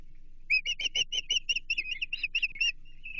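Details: Osprey giving a fast run of about fifteen loud, sharp whistled chirps in under three seconds at a Chesapeake nest, 28 June 2023, as an American shad arrives for feeding; low hum in the background.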